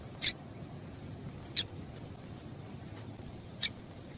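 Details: Female double-collared seedeater call, used to rouse males. Three isolated high, sharp chips roughly one and a half to two seconds apart, with a noisy background.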